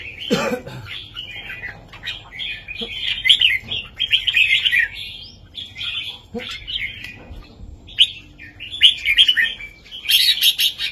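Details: Red-whiskered bulbul's southern-style master song, used to teach young birds and rouse others: a low thump, then phrase after phrase of bright, rolling warbles separated by short pauses, ending in a loud flourish.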